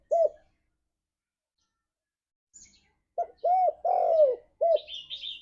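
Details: Spotted dove (tekukur) ngalas song used to draw pet doves into singing: a single short coo, a pause, then a phrase of short, arched and long falling coos, followed by higher chirping notes at the end.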